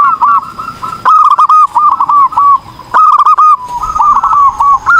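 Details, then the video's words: Lively perkutut, or zebra dove, singing as a master song for training: rapid trilled coo phrases at steady mid pitch, broken into two long runs by a short gap near the middle. "PERKUTUT GACOR || COCOK UNTUK MASTERAN || SUARA BURUNG PERKUTUT"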